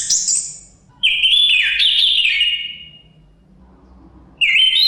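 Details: Chestnut-capped thrush song: a high whistle, then a longer, slightly wavering, descending whistled phrase, and a new phrase beginning at the end. Soft background wind murmurs throughout.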